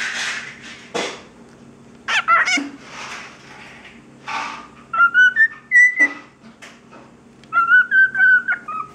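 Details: Male cockatiel talking to his reflection, saying "Hey there, birdie!", "Hey birdie!" and "Peek-a-boo!", and whistling random notes: scratchy, speech-like bursts of chatter, then clear stepped whistled phrases.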